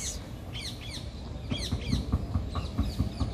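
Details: Several very loud parakeets in Maria Luisa Park, Seville, a riverside city park along the Guadalquivir, give harsh, squeaky chirps overlapping in quick bursts about twice a second, over a low rumble of wind and handling noise.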